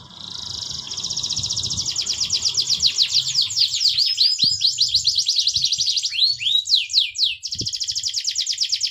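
A canary sings a long, rapid, high-pitched song of rolling trills and sweeping whistled notes.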